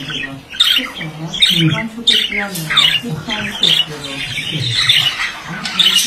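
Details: Male budgerigar singing indoors: rapid scratchy warbling and chattering with sharp high chirps, mixed with lower buzzy notes, running continuously.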